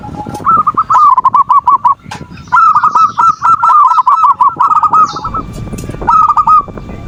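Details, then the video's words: Zebra dove singing to provoke rivals and bring on breeding condition: long, rapid sequences of clear, rolling notes in two main phrases, with a shorter burst at the end and faint background clatter. "Suara perkutut pancingan birahi dan emosi,the sound of turtle doves to lure passion and emotion"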